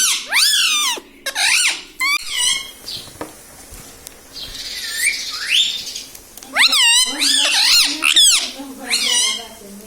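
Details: Pet talking parrot said to speak "mummy papa": loud, nasal, harmonic voiced syllables with swooping rising and falling pitch, in bursts of one to two seconds separated by pauses, with a faint hiss between them.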